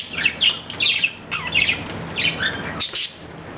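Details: Pet budgerigar, an Australian parrot, giving a series of raspy squawking chirps about every half second, followed by a sharp click, over a low hum.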